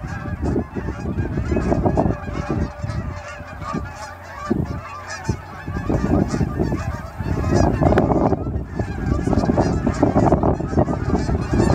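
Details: Hundreds of Canada geese coming off ponds toward grain fields just after sunrise in fall, near the airport in Dawson Creek; loud, dense honking from many birds at once, rapid and overlapping, over gusty wind.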